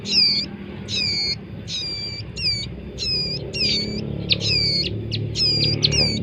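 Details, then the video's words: Bar-winged prinia nestlings repeating high, squeaky, stacked notes at a steady pace of about one to two per second, with faint low murmuring underneath. "anakan burung ciblek gunung"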